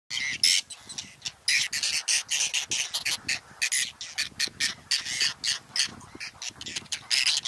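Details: Whiskered terns at a nesting colony on water chestnut and lotus beds, Astrakhan State Nature Reserve, Russia, 22 July 2017, with clutches still in nests. The air is filled with dense, harsh, rasping calls from many birds, bursts following one another almost without pause.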